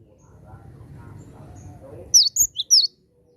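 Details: Four high sharp chirps from a Javan sparrow calling toward wild birds, given quickly at the end after faint low background noise.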